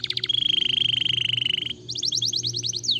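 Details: Canary song played to stimulate other canaries to sing: a long steady trill of rapid notes, then a faster run of descending chirps, with a low hum beneath.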